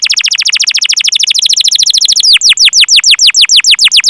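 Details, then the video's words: Canary in steady song meant to stimulate other canaries: a very fast, dense trill of chirps for two seconds, then slower, strongly descending whistled notes repeated about five per second. "Masteran Suara Burung Kenari Gacor Panjang cuit cuit Ngerol untuk Pancingan Kenari!"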